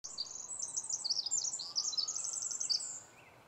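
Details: Winter wren (Troglodytes troglodytes) in Vancouver, Washington, USA, on 18 April 2010: a high, rapid, tumbling song of thin trills and sharp notes for about three seconds, over a quiet forest background.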